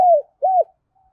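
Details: Part of a tame decoy spotted dove's morning call: two low, mellow coos, the first sliding downward and the second rounded and arched, followed by silence.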